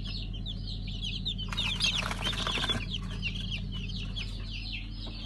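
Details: Fresh pheasant hatchlings, five colour varieties, dated 3 August 2019: continuous overlapping high peeps, briefly masked mid-way by a loud rustling burst, with a low hum beneath.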